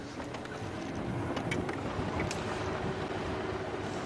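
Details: Vehicle engine and wind buffeting the microphone during a sunrise safari drive, with no animal voices.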